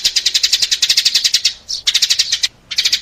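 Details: Lure call for attracting sparrows: a fast, steady stream of sharp, high chirps for about a second and a half, a short break with one softer note, then the rapid chirping resumes twice.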